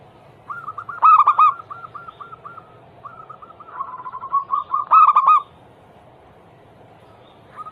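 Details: Zebra dove cooing played to set other doves singing. Two loud, rippling coo bursts are separated by trains of softer repeated coo notes, ending in a quiet pause.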